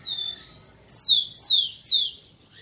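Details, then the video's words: Rufous-collared sparrow (tico-tico) song, used to stimulate females: one long, thin, steady whistle, then three loud, clear whistles slurring downward, spaced about half a second apart. Quiet background. "ESQUENTE seu TICO-TICO no Máximo e ESTIMULE suas FÊMEAS a aprontar!"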